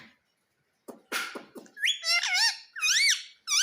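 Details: Pet rose-ringed parakeet that speaks "Mummy": a few scratchy clicks, then strained, nasal talking syllables with bending, warbling pitch, three loud phrases in quick succession, recorded in a small room.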